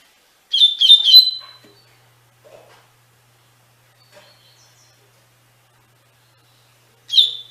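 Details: Double-collared seedeater (coleiro) singing the Tui Tui Fibra song style, used as tutoring song for captive birds: a quick run of bright whistled notes around one pitch, about one second long, then silence and a brief new burst near the end.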